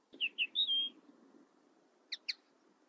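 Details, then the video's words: Common linnet song: two quick falling whistles, a rising note and a sustained whistle, then after a pause two sharp double twitters, with a faint low rumble throughout. "Common linnet 1h bird sound"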